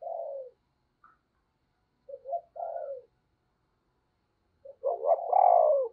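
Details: A spotted dove kept as a lure bird to excite other doves, in the "giọng sấm" voice: a long low coo, then a stuttered double note leading into a sustained coo, and a loud rich phrase to finish.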